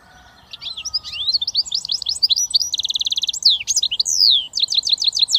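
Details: British finch hybrid known as a goldfinch mule singing a lively medley of high twittering notes, a quick buzzy trill, a long descending slur and a final run of repeated chips.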